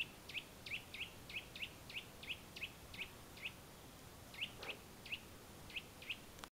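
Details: A Eurasian nuthatch in the Valle del Tiétar, Sierra de Gredos repeats short ringing whistles in a quick series, pausing briefly once, with a single dull knock partway through and low steady hiss beneath.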